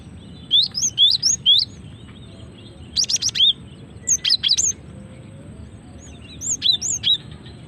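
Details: Female cinereous tit calls used for luring and triggering song: repeated high, looping chirps in groups of three or four, separated by short pauses, one burst harsher and buzzier, over faint background hum.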